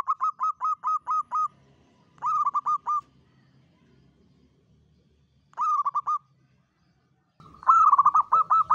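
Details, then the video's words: Local zebra dove trapping lure with a long kuk-7 Mataram song: a run of seven quick dipping coos, then shorter phrases of four and three notes, and a louder final burst over low rumbling background noise. "PANCINGAN PERKUTUT LOKAL KUK 7 PANJANG SUARA ANGKATAN UNIK"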